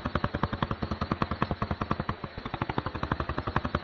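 A Shoebill clatters its bill in a fast, steady, machine-gun rattle of hollow knocks, about nine per second, with no other sounds.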